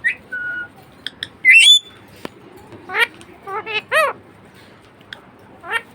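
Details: Pet budgerigar chattering: a short whistle, a loud scratchy squawk, then a series of harsh descending chevron-shaped chirps in quick clusters, separated by brief pauses over quiet room noise.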